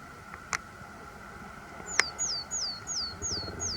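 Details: A vocal Willow Tit at Nightingale Ponds, where a pair has bred before, gives six clear, high, downslurred notes about three per second, with two sharp clicks before and a faint steady hum throughout.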